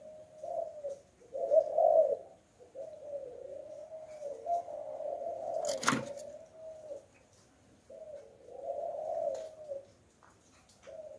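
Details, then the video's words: Decoy spotted dove singing in the 'Hạp Bổi' voice meant to provoke wild doves into answering: soft hollow coos in linked phrases with short gaps, broken midway by one sharp knock. "Chim Cu Gáy Giọng Hạp Bổi - Kích Là Gáy 100% -Tiếng Cu Gáy Kích Mồi"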